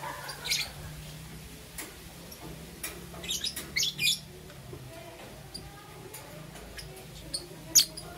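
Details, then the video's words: Two green opaline lovebirds chirping in the morning: scattered sharp, high chirps and short clustered bursts with quiet gaps between, one loud squeak near the end, over a low steady hum. "Lovebird Chirping Sounds"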